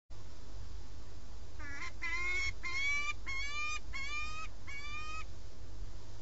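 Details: Peregrine falcon pair at their nest, filmed by a live webcam in Alcalá de Henares, Madrid, Spain, on 4 March 2017, during mutual recognition: six harsh, harmonic, slightly rising wailing calls, about one every 0.6 seconds, over steady low hum.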